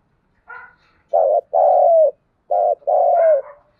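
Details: Dawn cooing of a spotted dove, thúc gù style: a faint higher note, then two phrases, each a brief coo and a drawn-out falling coo, deep and soft.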